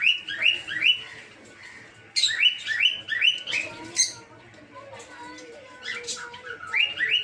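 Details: Captive peach-faced lovebirds in an aviary mix rapid rising chirps with harsher, buzzy squawks, the upslurred notes returning in runs at the start, middle and end.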